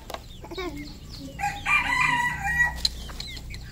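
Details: Red junglefowl on a farm in Cambodia: a short hoarse crow rising then held, preceded by quick clucks and peeps, with other birds calling faintly.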